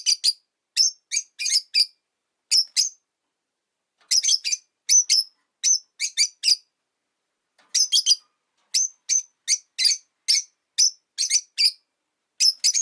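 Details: Caged rosy-faced lovebirds, five birds kept by a window in winter, give sharp, high shrill chirps in loose bursts of two to four notes, with short pauses between groups over about thirteen seconds.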